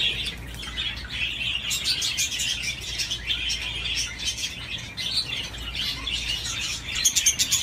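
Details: Budgerigar swinging while chattering nonstop: a rapid, scratchy warble of chirps and clicks, growing to a quick string of sharp ticks at the close.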